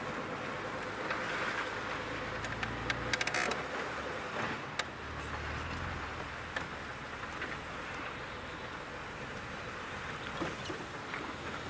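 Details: Steady vehicle engine rumble with broadband outdoor noise and a few clicks and knocks; no animal calls stand out.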